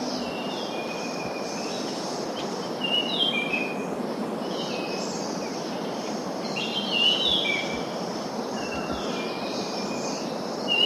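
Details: Song of an Orange-sided thrush: short, clear whistled phrases, some rising or trilled, every second or two, half-buried in a steady background hiss; identified as Orange-banded thrush (Geokichla peronii).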